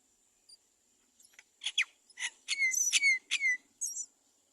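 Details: Great myna nestlings crying at the nest, begging for food their parent does not bring; a burst of harsh, raspy squeals builds into loud, overlapping shrill cries with a descending whistled tail, then a short high squeak.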